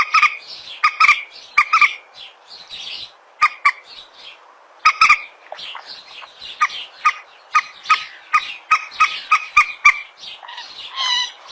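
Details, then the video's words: Common moorhen, called peruk or tiung locally, captured on a phone with steady background hiss: short sharp nasal notes repeated irregularly about once a second, with fainter chatter between them. "suara burung PERUK/ MANDAR/ TIUNG"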